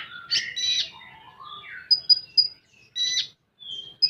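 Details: Common iora (konin) in 'full tembakan' song: two harsh buzzy bursts, sliding whistles, then a quick series of three high pips and another rasp.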